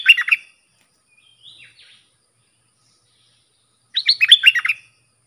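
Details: Bulbul used as a lure against wild birds gives two brief bursts of fast chirpy whistles, separated by several seconds of near silence with a faint soft note between.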